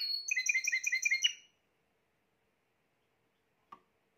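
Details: Spanish Timbrado canary, the third of this year's 2020 birds, singing a rapid run of about eight sharp repeated chirps per second for roughly one and a half seconds, then silence broken by a single faint click.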